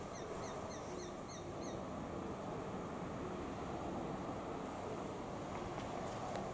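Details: Young Japanese sparrowhawk calling, seemingly for its parents: a quick run of about six sharp, slightly falling notes in the first two seconds, then only a constant roaring background.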